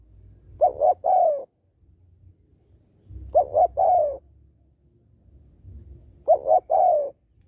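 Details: Female spotted dove calling to stimulate males: three-part coos, two short rounded notes then a longer falling note, repeated three times about every three seconds, with low background rumble between phrases.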